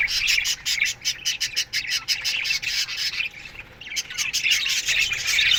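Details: Budgies chattering in their aviary in the morning, a fast string of clipped, rhythmic chirps followed by a thicker burst of raspy warbling.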